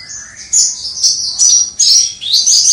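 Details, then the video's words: Javan bush lark, a kept songbird, in full crystal-voice song recorded from afar: a lower rising warble opens, then dense high shimmering trills and bright whistles arrive in three loud surges. "Suara Branjangan Jawa Gacor Dor Suara Kristal"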